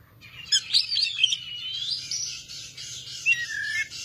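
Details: Female Oriental magpie-robin delivering continuous energetic song: a dense run of high twittering notes and sweeping whistles that blend together, ending with a few clearer falling whistles, over a soft low hum.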